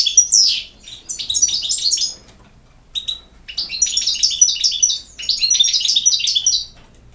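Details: European goldfinch song opening with a downward swept note, then a pause and long runs of rapid, evenly spaced tinkling notes repeated in chattering sequences.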